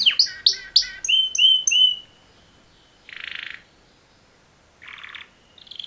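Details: Two male canaries give mating-call song: a series of loud sharp chirps and short whistles, then near silence broken by two soft buzzy rattles and a high trill at the end.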